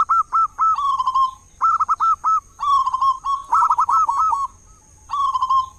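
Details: Big-voiced local zebra dove serving as a lure to make other doves sing in morning and evening; repeated short phrases of rapid, staccato cooing notes, each phrase ending in a drawn-out coo, separated by brief pauses over steady hiss.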